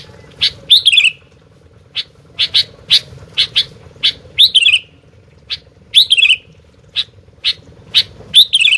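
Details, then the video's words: Sooty-headed bulbul that will not stay quiet. Brisk, clipped chirps alternate with four rich, falling warbled phrases over a faint steady hum. "Burung Gentilang Gacor DOOOR"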